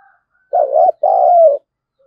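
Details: Spotted dove lure cooing to push wild birds into a fight, 'giọng thổ' style; one deep hooted phrase, a brief wobbling note then a sustained coo that gently falls.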